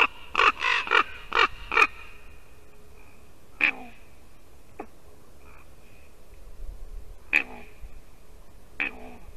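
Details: Ravens at a white-tailed eagle nest in Latvia, 2 December 2019: a quick burst of five harsh croaks, then spaced single croaks and a few soft, hollow knocks over a quiet background.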